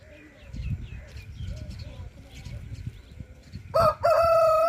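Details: A rooster (murga) crows loudly after several seconds of soft clucking and background chatter, the crow bursting in near the end as a rough, harmonic call with a brief catch before it is sustained.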